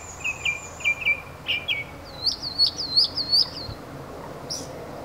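Thin, high chips from a Red-billed Streamertail, first a few squeaky notes, then a quick run of six twittering chirps, over a faint background hiss.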